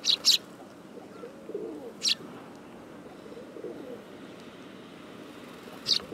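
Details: Sparrow recorded in autumn on 18 September 2013: a quick pair of high chirps, then lone chirps spaced a few seconds apart, with gentle dove cooing low in the background.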